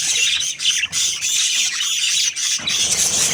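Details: Continuous high, scratchy chatter from a happy budgerigar breeding pair, with brief dips between bursts and a faint whistled thread running through the busy squawking.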